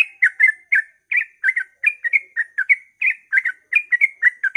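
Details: Rapid dawn 'ropel' singing from a yellow-vented bulbul, aimed at prompting other bulbuls to join in: steady bursts of gurgling, whistled two- and three-note chirps, tightly spaced throughout with no background noise.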